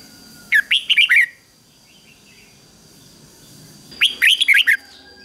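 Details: Red-whiskered bulbul, a trained lure bird singing to call wild birds in to fight, giving two bright, bubbly phrases of four or five rich, rolling whistled notes about three seconds apart; a faint steady hum underneath.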